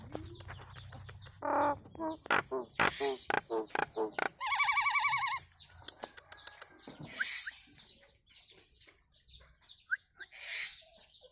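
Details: Nias hill myna training song: rapid clicks and buzzy harmonic notes build to a long wavering nasal call, followed by quieter scattered whistles.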